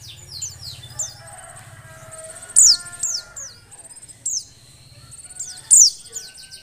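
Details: Calls of a female Oriental white-eye in breeding condition, used to prompt males to sing: sharp, high descending chirps and brief trills in bursts roughly every second or two, over a steady low buzzing hum.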